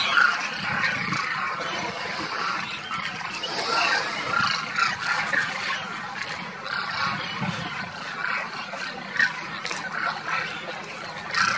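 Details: Flock of demoiselle cranes wintering around Kheechan village, Rajasthan, India, after migrating south of the Himalaya from Mongolia; many birds calling together in a steady, rolling clamour, with some low rumbling underneath.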